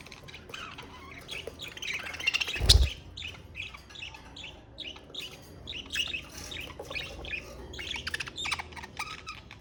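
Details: Budgerigar chatter from pet Australian parakeets: high chirps and tweets in irregular bursts, with a loud low thump near the start and a continuous background rumble.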